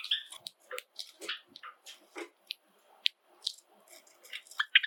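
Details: Pet Java sparrows (Padda oryzivora) from an indoor flock of seven in a quiet room: chirping song with quick dry clicks, clucks and a few bell-like notes, uneven and busy.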